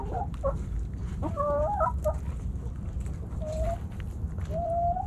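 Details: Backyard hens and roosters snacking at Thanksgiving; jumpy, bouncing clucks cluster early, followed by two longer, smoothly rising tonal calls, over steady low-frequency background noise.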